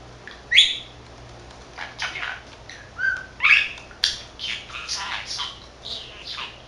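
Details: A male budgerigar, 13 months old, chattering to himself in a mix of mimicked words. Sharp squeaky notes and a short whistle, followed by a series of hoarse, breathy murmured phrases at an uneven pace.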